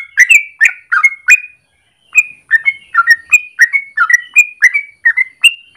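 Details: Morning song of a yellow-vented bulbul, long and rolling, kept as a lure or training master: quick bubbly phrases ending in short whistles, a brief pause, then the chain resumes.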